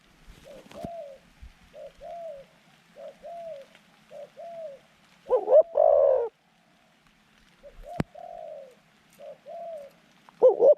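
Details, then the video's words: Caged decoy Zebra dove luring wild doves in a trap: soft, short coo notes repeated at uneven intervals, with two louder, rougher coo bursts near the middle and end, and a few sharp clicks. "จัดเชลย เสียงกลาง คูเก่งคูนานๆคับ"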